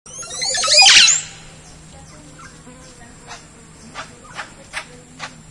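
Montezuma oropendola gives one loud, liquid gurgling burst near the start, then sharp dry clicks; a steady high insect whine runs throughout.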